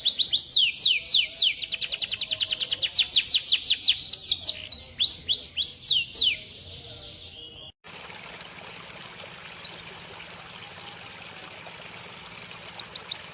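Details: White-rumped shama tutor song: fast high downslurred whistles and trills with a few rising swoops for about seven seconds, then steady hiss with the song briefly returning at the very end.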